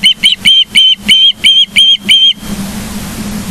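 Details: Wild osprey at its nest in Charlo, Montana, on 9 July 2023 around 09:42, calling a fast series of seven clear, whistled chirps about three per second before falling silent, leaving steady background hiss.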